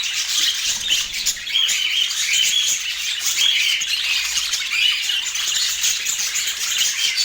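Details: Steady high twittering of many budgerigars in Portland, short warbled chirps repeating rapidly over one another without a break.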